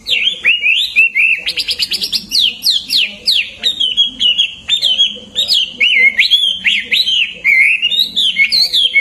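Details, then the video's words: Loud, varied Hwamei song, offered as training material for competition songbirds: clear whistled notes jumping up and down, a burst of rapid sharp notes early on, then rolling looping phrases repeated without pause. "Wambi HWAMEI gacor!!"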